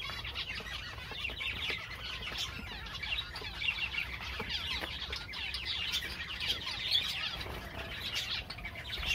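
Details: High, tinkling Java sparrow chatter running without pause, many overlapping short chirps and trills, with soft clicks and a steady low hum.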